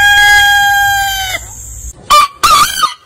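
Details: Rooster of a heritage chicken breed ending a long steady crow that cuts off, followed by two short loud bursts of another crow.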